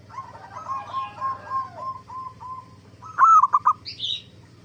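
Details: Zebra dove singing, used as a lure to draw replies from other zebra doves: a soft rolling string of coos, then one loud, clipped, stuttering phrase, with a few faint high chirps from another bird near the end.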